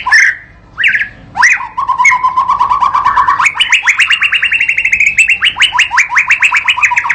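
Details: White-rumped shama (Copsychus malabaricus), song.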